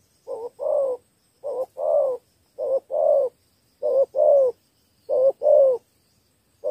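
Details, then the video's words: Spotted dove kept as a decoy to win over wild doves, three-note style call: five evenly spaced pairs of a short coo followed by a fuller, slightly falling coo, roughly one pair per second, in a quiet setting. "Clips 2 kèo thu phục bổi đồng và thổ 3 âm"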